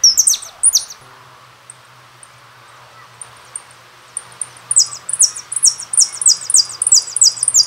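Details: Jilguero (goldfinch) singing: a few very high descending notes, then a quiet spell with faint ticks and a low hum, then a dense run of bright, sharp, downward-sweeping notes delivered rapidly.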